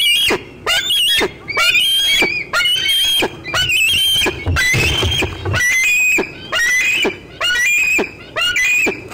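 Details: Loud, close squeeing from a bald eaglet on 25 June 2013 while an adult eats a fish; strong harsh squeals roughly once a second in a long regular series, each rising then wavering.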